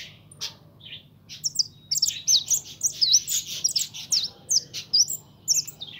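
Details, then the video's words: Caged young goldfinch (pintón) giving a lively stream of high liquid twitters, trills and short nasal notes in quick irregular bursts, steady low humming beneath. "Mi jilguero pinton"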